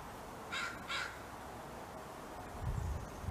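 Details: Crow giving territorial alert calls during a fight over a large plate of food: two short, harsh caws in quick succession, then low rumbling background noise.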